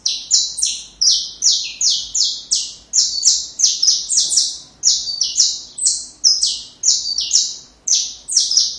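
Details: Perfect saffron finch song for chicks to learn: an unbroken string of harsh, buzzy high notes, roughly two each second, stepping back and forth between two pitch levels without any pause.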